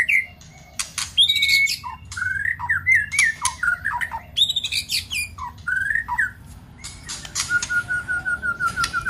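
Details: White-rumped shama singing, used as a trigger to fire up a weak shama; clear looping whistles and sharp harsh bursts, then a steady run of short evenly spaced whistled notes near the end.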